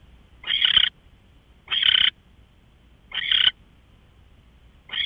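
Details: Early-morning owl, 5:27 AM on March 24, 2013, repeating a grating, breathy screech about every one and a half seconds; three full calls and the start of a fourth.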